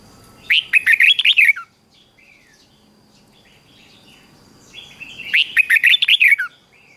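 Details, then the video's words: Red-whiskered bulbul morning song, used for training bulbuls to sing: two bursts of rapid, rich warbled notes, about eight quick slurred whistles each, separated by a quiet pause with a faint steady high tone in the background. "Luyện cho chào mào hót sáng | Luyện giọng chào mào hót hay kích chào mào yếu lửa ra âm"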